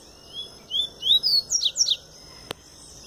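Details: Double-collared seedeater, just coming out of moult but already in vigorous form, sings its pure "tui-tui" song: a quick run of six or seven clear, high, slurred whistles, rising and falling, then a single sharp click.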